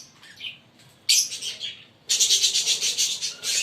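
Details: Fischer's lovebirds, a green pair, chirping: a few scattered high notes, then a fast rattling series of shrill chirps, about eight per second, continuing to the end.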